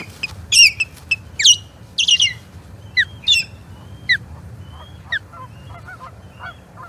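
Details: Osprey at the Charlo Osprey Nest on 21 April 2022, calling during skirmishes with an intruding third osprey: sharp, descending, harmonic whistled notes in irregular bursts, some in quick doublets, fading to softer notes near the end.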